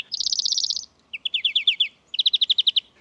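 A European Greenfinch sings three quick, high trills of rapid repeated notes, each under a second long, separated by brief pauses, with the second trill pitched slightly lower.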